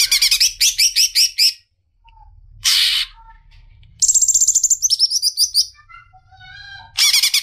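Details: A female greater green leafbird calls to the male with fast, high chattering trills, a short harsh burst, then thinner, softer whistled notes before another rapid trill; a faint low rumble lies underneath.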